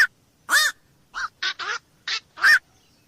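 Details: Harsh, nasal kwok calls of a black-crowned night heron, seven short barks in three seconds, the loudest with a bending, wavering tone; a quiet setting.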